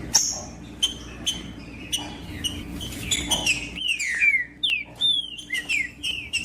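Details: Green-winged saltator song played to warm up a silent bird: descending whistled slurs grow louder in the second half, preceded by scattered faint chirps over a low steady hum.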